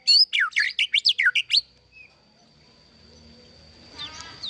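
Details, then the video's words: Captive-bred White-rumped shama giving a quick burst of about nine sharp, steeply sweeping high notes in under two seconds, followed by quiet with faint background rustle. "Kicau Merdu Murai Batu"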